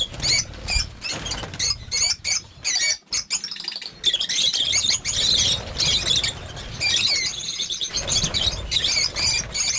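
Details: Captive lovebirds in a breeding farm of over fifty birds give bursts of shrill twittering, choppy at first with short silences, then a sustained dense chorus of squeaky chirps.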